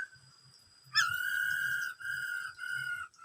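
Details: Black-throated laughingthrush singing, part of the 'bắt cô trói cột' song of many varied sounds: one long, steady, pure whistle lasting about two seconds, briefly broken and resumed, over a faint low background rumble.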